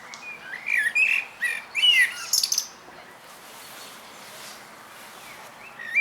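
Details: Lost thrush fledgling taking its first steps in a park in Zamość, Poland, in the evening; a burst of high, slurred chirps and squeaky notes over about three seconds, then quiet background with faint distant bird sounds and one last chirp.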